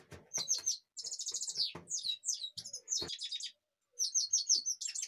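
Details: European goldfinch, Kashmir, singing busy runs of high, repeated twitter notes in quick succession, with a short silent gap before a final tinkling burst.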